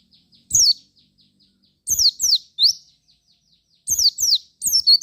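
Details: Javan white-eye singing a lure song to prompt other white-eyes to respond: piercing high notes in short bunches of two or three, sharply falling and rising sweeps, with soft faint twitters in the gaps.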